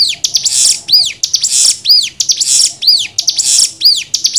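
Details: Cigun tutor-song variation for untrained birds: arched whistles sliding down, paired with rasping high buzzes, repeated in a regular rhythm of about one phrase per second.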